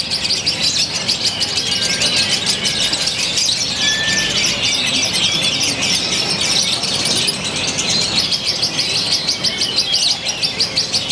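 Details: Lovebird from Purwakarta, Indonesia, singing in a novel style with increasingly tight pauses; long run of dense, shrill, fast-paced chirping with occasional brief whistled slurs.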